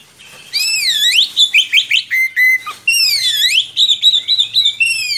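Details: Vocal Oriental magpie-robin with a long rolling song used to tutor young birds: swooping rich whistles alternating with quick clipped repeated chirps, delivered in two loud continuous bursts.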